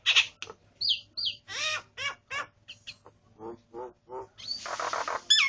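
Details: Singing starling kept at home gives separate bursts: a harsh noisy note, clear upward whistles, rapid stacked chirps, lower buzzy notes, and finally a long rasping hiss ending in a bright whistle.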